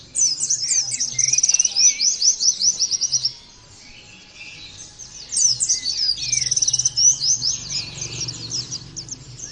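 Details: Captive Oriental white-eye giving two bursts of rapid, high twittering song with trilled rattles and sweeping chirps, separated by a quiet gap of about two seconds.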